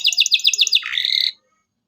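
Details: Short burst of local canary song meant to get young canaries singing: a fast chopped trill dropping into a buzzy, slightly lower rasp that ends abruptly.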